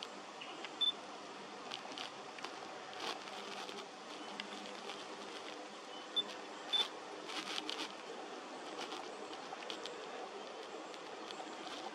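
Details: Steady background hiss with scattered camera shutter clicks; no clear animal call stands out.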